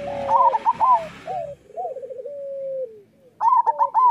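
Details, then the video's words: Local zebra doves singing, meant as a master track to train other doves. A high, clipped cluster opens with some rustling. Falling coos and a long level trill follow, then another bright cluster. "Perkutut lokal gacor Suara Masteran Burung Perkutut Paling Ampuh"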